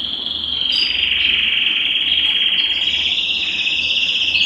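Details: Belgian canary singing to stimulate males and bring females into breeding condition: one continuous, rapid buzzy trill held at a nearly steady high pitch for the whole stretch, with faint higher notes flickering above and a low hum underneath.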